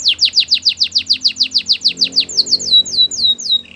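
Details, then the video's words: Canary training song with a rhythmic series of loud, bright downswept whistles, then softer slurred notes and a low buzz at the close. "The most popular canary training!! Your belgian canary will sing a lot"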